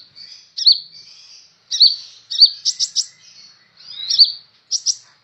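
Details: Energetic kolibri ninja sunbird, singing for use as a tutor recording; bright downslurred chips alternate with short buzzy rattles and a faint thin whistle running between them.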